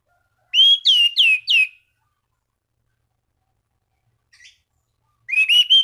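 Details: Orange-banded thrush song meant to provoke rival thrushes into singing: a quick run of four looping whistled notes, a long pause, a faint short note, then another burst of whistles at the end.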